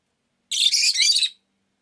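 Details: One continuous harsh, buzzy chatter of under a second from a pet rosy-faced lovebird, shrill and grating, in silence.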